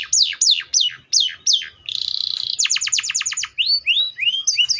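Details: Singing canary: slow loud descending whistles, a rattling buzzy trill, a quick run of steep downward notes, then rising slurred chirps varied in pitch.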